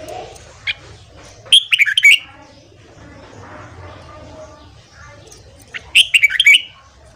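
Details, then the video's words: Training recording of a red-whiskered bulbul singing at morning: a short note, then two lively chattering-whistled phrases about four seconds apart over faint low background noise. "Luyện Giọng Chào Mào Hót Sáng Kích Chào Mào Bổi"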